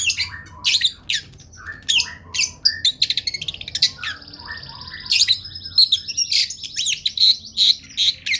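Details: Long-tailed shrike, a lively singer, in a tutoring recording for other birds: fast, high, varied chirps and squawky notes in dense bursts, with a long buzzy trill in the middle and short pauses between phrases.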